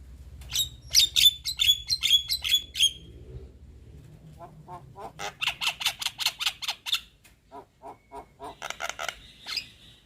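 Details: Young Javan myna (jalak kebo) repeating a sharp whistled note about eight times, then bursts of buzzy rasping notes, softer clicks, and a final harsh phrase.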